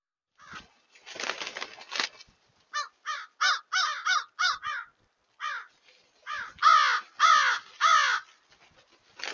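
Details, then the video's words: Many crows calling together, a crazy amount of crows: harsh, hoarse caws in quick overlapping bursts, some noisy and scratchy, then clearer repeated caws in runs of three or four, about one and a half per second. "crows 01-31-23"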